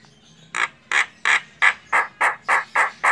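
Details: Female Javan myna (jalak kebo) in full song, recorded for training songbirds: a steady series of loud, harsh, rasping notes repeated about three times a second.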